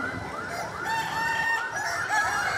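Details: Kokok Balenggek roosters crowing at a crowing contest in Bukittinggi: several overlapping drawn-out crows with rising then level, stepped tones, over steady crowd murmur and a man counting rounds aloud.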